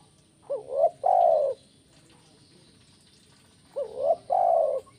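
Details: Spotted dove, kuk 1 call. A short upswept coo pair leads into a sustained soft coo, and the phrase is repeated once after a pause of about three seconds.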